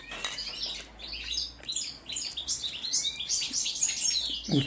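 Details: Song check of a European goldfinch, subspecies balcanica: bright, scratchy twittering notes in loose bursts, some quick upward slurred whistles, with a short pause near the middle and a low thump at the end.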